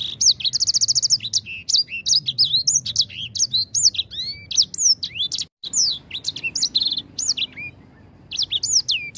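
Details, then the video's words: Grey singing finch, used as a lure song to prompt singing, opening with a rapid high trill, then a long run of varied slurred and upswept whistles with one short break midway. "Pancingan Ampuh Langsung Bunyi | EDEL SANGER GACOR"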